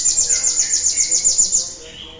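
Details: Cinereous tit song used as a lure to stimulate other birds to sing: a rapid run of thin, very high notes, about seven per second for under two seconds, over softer lower whistled tones, then fading out.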